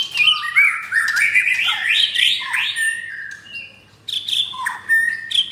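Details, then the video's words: Captive-bred F4 White-rumped shama, mottled-breasted and caged in Jakarta, Indonesia, delivering rough-style song: a rich jumble of rising and falling warbled whistles, a short pause, then sharp upslurred notes resume. "Murai Batu F4 Blorok Materi Kasar"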